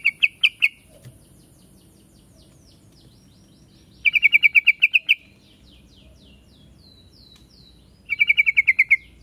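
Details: Yellow-vented bulbul, called trucuk locally: three bursts of quick, evenly spaced chirps, ten or so notes each, roughly every four seconds, with soft higher calls from other birds in between.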